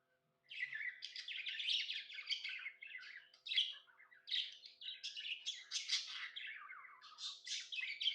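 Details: Budgerigar kept as a pet, chirping happily: after a short silence, continuous rapid warbling chatter of harsh and sweet notes mixed together, with varied bursts throughout.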